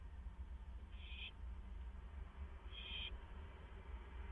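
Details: Owls at a nest box at 11:05 PM on 7 May 2015, three birds visiting, two scuffling inside before flying out; two short, harsh, buzzy bursts about two seconds apart over a steady low hum.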